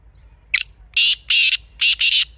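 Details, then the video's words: Black francolin, a wild Pakistani kala teetar recorded outdoors, gives its rasping phrase: a short sharp lead note, then four broad, scratchy bursts in two pairs, the final pair run close together. "Real Kala Teetar Sound"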